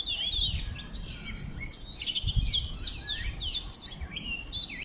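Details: Natural bird chorus: lively, overlapping twittering and quick rising and falling whistled notes, tightly packed throughout, accompanied by a steady high whine and gentle low rumbling background noise.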